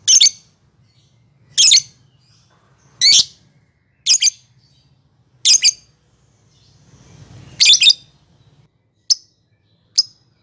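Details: Champion lovebird giving harsh, broadband screechy squawks in short bursts about every one to two seconds, with a few brief high chirps at the end and a faint low hum in the background.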